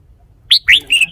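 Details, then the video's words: Three clear whistled notes from a caged red-whiskered bulbul, the first sharp and rising, the second a bubbling upslur, the last a steadier high whistle, all within about half a second. "นกกรงหัวจุก 716 จ้าวคำหมาน"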